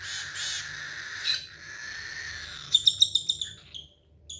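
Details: A young cockatiel being syringe hand-fed, a foster bird found struggling in a swimming pool, gives a harsh, wheezy, rasping begging noise, followed by a quick run of about six sharp high chirps.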